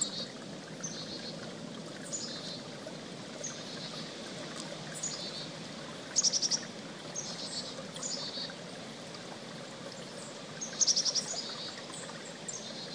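Two bursts of rapid, high, buzzy chickadee notes, four or five in quick succession, about five seconds apart, over a steady rush of flowing creek water.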